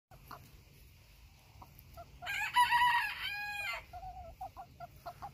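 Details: Bantam Phoenix chicken crowing once: a harsh, harmonic-rich crow of about a second and a half with a wavering middle and a drawn-out ending, plus softer short clucks before and after.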